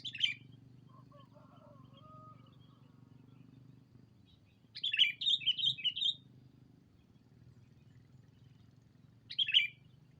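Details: Sooty-headed bulbul lure call used to draw in a rival: a sharp bright chirp at the start, a quick run of about five ringing chirps midway, and one more near the end, over a steady low hum with faint lower whistles early on.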